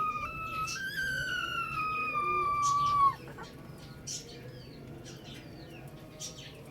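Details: Rooster crowing: a clear harmonic note rises briefly, then draws out for about two seconds in a slowly falling, slightly wavering tone before stopping. Quieter chirps and background farmyard sounds follow.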